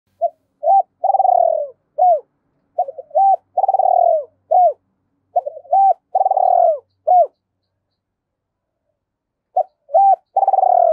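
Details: Spotted dove, a decoy bird, cooing in a double-voiced style: low repeated phrases of short hooted notes and a longer rolling, falling coo, sung in three bouts with pauses between.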